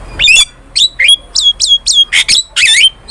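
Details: Starling song used as a lure and master for training birds: a run of short squawky notes and sharp downward whistles, each burst about a third of a second, in quick succession with brief gaps.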